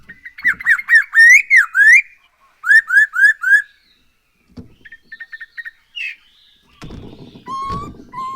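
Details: Captive black-throated laughingthrush giving rich, loud whistled phrases of rising and falling slurred notes in quick succession, a pause, then softer chattering notes and a lower whistle.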